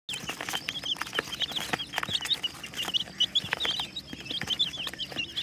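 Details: Colourful chicks peeping constantly: thin, high cheeping notes repeated rapidly and overlapping from several birds, with soft tapping and rustling sounds scattered throughout.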